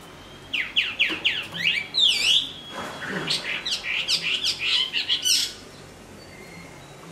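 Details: Hwamei in a cage, in moult, delivering a fast run of sharp, sweeping notes, a dipping whistled phrase, then a long series of rapid repeated chirps about three per second before fading.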